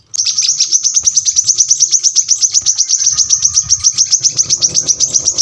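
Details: Sharp, rapid song of a brown-throated sunbird, used as tutor song for cage birds: an unbroken run of high metallic chips, about four per second, over a faint low rumble.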